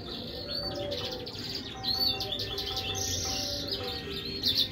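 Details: Finch and siskin hybrid (mule) singing in the lively 'gacor tembakan' style: high, thin twittering with quick buzzy trills and sharp chirps in bursts, over a faint steady low hum.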